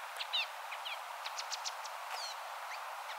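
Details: Golden-backed Mountain-tanager in misty, stunted elfin forest near the treeline on the eastern slope of the Peruvian Andes; brief, sharp high chips and short rising and falling notes, scattered irregularly over about three seconds.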